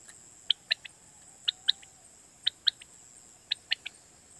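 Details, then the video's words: Quail call played for night hunting in Pakistan. Short, sharp, high notes fall in groups of three, each group about one second apart, against a soft, constant hiss. "Batair Kirak batair ki Awaz For Night Hunting"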